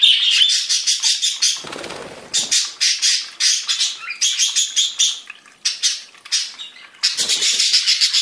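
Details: Several captive budgerigars (Melopsittacus undulatus) of different birds warble in a fast, high, scratchy song of clicks and squeaky notes, broken into rapid bursts, with a brief soft rustle partway through.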